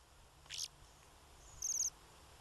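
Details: Bohemian waxwing giving a single high, thin trilled call near the end, preceded by a brief broader chip-like note; otherwise quiet background hiss.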